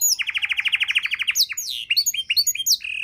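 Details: Canary singing a rich tutor song meant for training other songbirds: a fast run of about fifteen identical high trilled notes, then varied sweeping whistles and sharp chirps.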